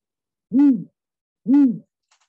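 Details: Great Gray Owl, a tall owl about 27 inches, in the Island Park area, Idaho, gives two deep, hollow hoots, each rising then falling, about a second apart, followed by a faint click.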